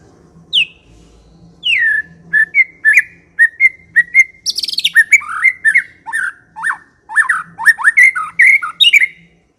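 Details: Energetic ngekek-style white-rumped shama song opening with separate downslurred whistles, then quickening into a rapid stream of sharp chips, rising whistles and rattled notes over a soft background hum.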